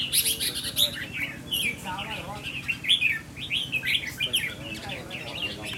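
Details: Red-whiskered bulbul tested for its temperament, pouring out lively, varied whistled notes and chirps almost continuously, with quiet talking in the background.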